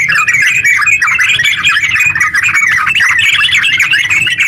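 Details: Rapid, steady chatter of a yellow-vented bulbul's ngeropel song, played to stir other bulbuls into song, the notes running together without any gap.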